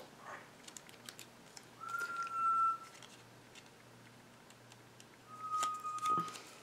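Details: An African grey parrot, a pet kept in a craft room, whistles to entertain: two clear, level whistles about three seconds apart, each under a second long, over soft room noise and the snip of scissors.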